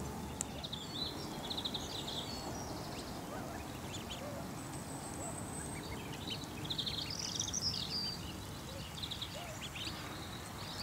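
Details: Fourteen mallard ducklings exploring a garden in Marlow, Buckinghamshire, with their mother give clusters of thin, high peeps in quick, irregular bursts over steady low rumbling background noise.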